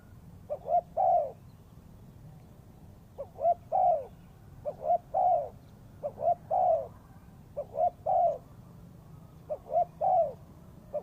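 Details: Spotted dove call used as a lure for trapping: repeated three-note cooing phrases, two short rising coos followed by a longer drawn-out coo, repeated roughly every two and a half seconds, with a low steady hum underneath.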